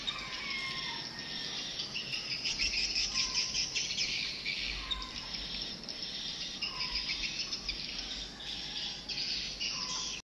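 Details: A 2022 swiftlet attraction sound track, said to draw many young birds, plays continuous dense, high, buzzy swiftlet chirps, with a few lower whistled notes slipping through at irregular intervals.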